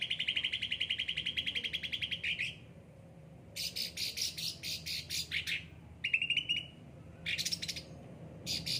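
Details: Caged cucak ranting, yellow-headed and well looked after, singing eagerly: a long even trill of quick repeated notes, then bursts of scratchy high chatter, a short ringing trill and further brief chattering phrases.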